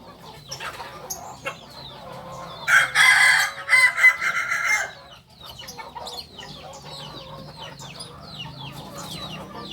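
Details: Solok, West Sumatra Kukuak balenggek rooster crowing: a strong, multi-part harmonic crow lasting about two seconds, split into distinct stepped syllables, surrounded by busy background chirping of small birds.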